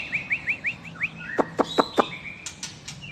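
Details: White-rumped shama from Medan with a long tail, singing actively. A series of six quick rising chirps comes about every fifth of a second, then four sharp clicks and some higher whistled notes.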